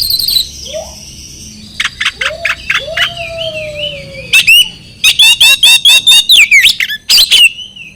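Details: Oriental magpie-robin song, a recording used to provoke mute, stalled or stressed birds into singing: loud rasping bursts in rapid series mixed with wavering high whistles and a few lower slurred notes, with steady low hum behind.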